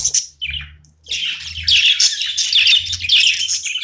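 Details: Pet budgerigar playing indoors: a couple of short chirps, then a dense, continuous stream of harsh, chattering warble, with a low hum audible throughout.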